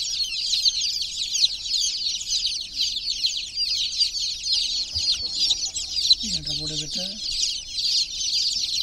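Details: Numerous chicks of chicken in a water pool, steady high peeping in thick overlapping layers, with a brief human voice late in the recording.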